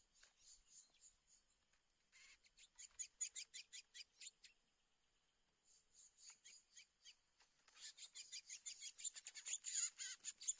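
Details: During trapping in the 2024 season, a borrowed decoy chestnut-bellied seed finch and a fighting wild black male sing fast runs of high, clear, sharply struck notes in bursts with short pauses, like two birds answering each other.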